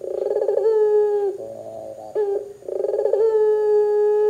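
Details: A Barbary dove, a call used to get other doves to join in, gives soft, rolling coos, each opening with a quick tremolo and then settling into a steady hum, twice with a lower break between.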